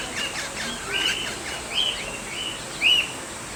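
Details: Eastern rosella, a wild bird tagged Campbelltown Wild Bird Forest: a run of ringing, arched whistles repeated every half-second or so, ending in a louder bright note, with faint chirps from other small birds and constant hiss.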